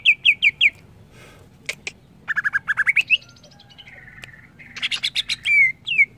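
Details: Greater green leafbird mixing quick whistled phrases, sharp clicks, a run of rising notes, a sustained buzzy tone and a burst of high chatter ending in clear downslurs.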